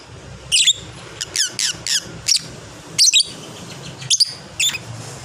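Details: Fighter lovebird in long chatter, a run of sharp high squeaky chirps in short bursts, some doubled, spaced irregularly over about five seconds, with a low steady hum underneath.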